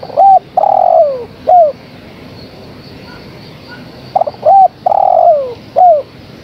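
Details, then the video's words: Female spotted dove calling for a male, repeating its cooing phrase twice about four seconds apart, each a short arched coo, a long downward-sliding coo and a brief final coo, with a few stuttered notes before. "Suara Tekukur Betina Gacor Memanggil Sang Jantan"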